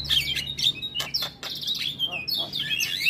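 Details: Energetic Javan myna song packed with varied filler phrases: scratchy, squeaky whistles sliding up and down, broken by hard clicking notes in a dense, restless stream.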